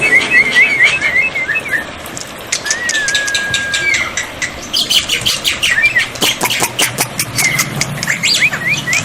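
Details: Black-winged myna tutor song for coaxing quiet birds to reply, with water therapy: wavering whistled trills and a long level whistle, then bursts of sharp clicking chatter and rising squeaky notes over faint low noise.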